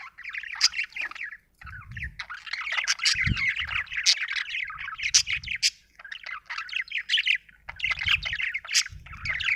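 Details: Budgerigar chirping: a dense, continuous stream of rapid, scratchy warbled chirps and short squawks, busy and chattering throughout, with occasional low thumps in the background.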